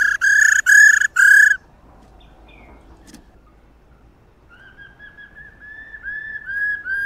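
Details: A female laughingthrush gives three loud, harsh, ringing notes, then after a pause a softer rolling series of mid-pitched notes about twice a second; the recording is played to stimulate male laughingthrushes to sing.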